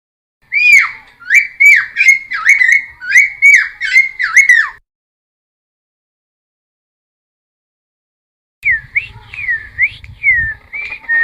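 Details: Cucak timor song played to lure and train wild-caught birds: a burst of about eight ringing whistled notes, each dipping then rising, followed by a long silence and a second shorter series of similar swooping whistles.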